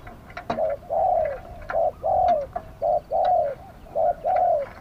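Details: Spotted dove, a live decoy bird calling to lure wild doves in wild-style song: low hollow coos in pairs, a short note then a longer falling one, repeated steadily about once a second, with faint clicks and knocks behind.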